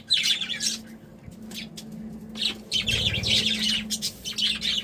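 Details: Happy budgies twittering almost continuously in chattering high warbles, with a brief quiet spell early on, a soft low rumble near the middle and a constant background hum.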